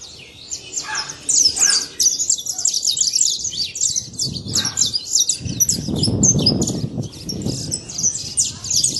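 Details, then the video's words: Saffron finch singing free in the wild, giving a fast stream of bright, high, twittering notes that repeat and overlap, with a burst of low rumbling background noise around the middle. "Canário da terra livre na natureza"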